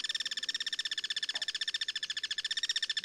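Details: Wild guira cuckoo cross-singing in its natural habitat, perched as a sentinel atop a Duranta with social behaviour; an unbroken, loud train of fast, rasping, harmonic pulses, about twelve a second, fills the whole stretch.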